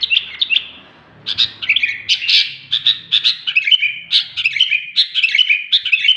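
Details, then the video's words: A very vocal sooty-headed bulbul gives short bright chirps, pauses, then breaks into a lively stream of warbling, slurred notes repeated in quick bursts, with a faint low murmur underneath. "BURUNG KUTILANG SUPER GACOR"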